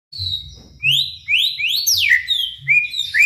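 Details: White-rumped shama song used to provoke other shamas into singing: a sequence of clear whistled notes, long level and rising slurs followed by a sharp descending sweep and more rising whistles, over faint low rumbling background noise.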